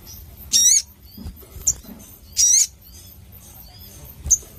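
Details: Crimson sunbird, a caged songbird kept for its song, giving two loud buzzy harmonic notes about two seconds apart, separated by faint high chips.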